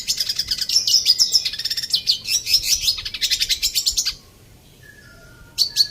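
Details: Caged red siskin twittering in dense, high trilled and buzzy phrases for about four seconds, then near silence with a faint thin whistle before a last short burst.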